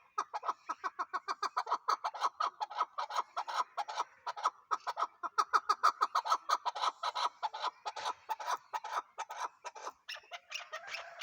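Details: Chukar partridge calling in a long, rapid train of loud, hoarse chuck notes, several per second, kept up without a break for about eleven seconds. The pattern shifts slightly near the end.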